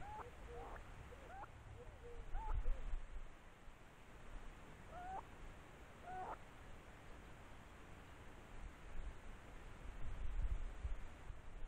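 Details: Nesting Stone-curlew: a cluster of hooked whistles early on, then two louder single upward-curving notes, with occasional low thumps and rumble.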